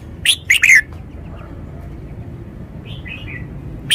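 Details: Red-whiskered bulbul in a cage, showing its phrasing with stressed notes: a fast run of three loud, bubbling whistles that slides downward, a pause, then soft twittering notes and the start of another phrase.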